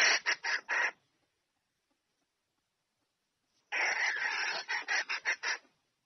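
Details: Calling to bring the male in for mating, a red junglefowl hen gives a few short harsh clucks. After a long silence comes a drawn rasping note breaking into quick scratchy bursts.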